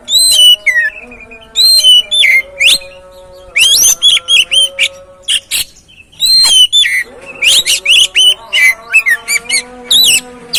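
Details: Oriental magpie-robin singing as a lure to stimulate a reluctant, stressed bird: varied whistled phrases, up-sweeps and sharp chirps in dense runs separated by short silences, above a soft steady hum.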